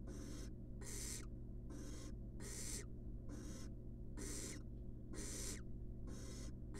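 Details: Barn owl chick, wild, in a nest box being fed a rat, gives drawn-out rasping hiss-screeches, about eight in quick succession, some louder than others, with a constant low electrical hum underneath.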